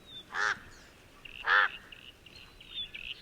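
Somali crow giving two harsh, rasping caws about a second apart, with fainter chirps and whistles from other birds in between.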